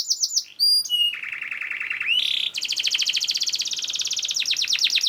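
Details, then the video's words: Canary song used as a master recording to train other canaries, fast and dense: brief high whistled notes, then a long buzzy trill, a rattling burst, and rapid repeated downslurred chirps in a steady tour. "KENARI GACOR SPEED RAPAT UNTUK MASTERAN KENARI ANDA #24 || VOICE OF CANARY"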